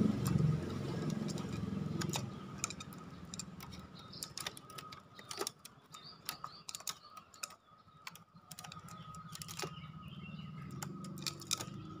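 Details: Irregular sharp tapping and dripping clicks over a low rumble and a faint steady hum, with no clear animal call.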